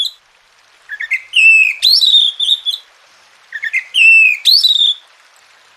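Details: Oriental magpie-robin song played to coax silent birds into singing: two identical loud phrases of climbing notes, a sharp upslur and a level bright whistle, separated by a short pause.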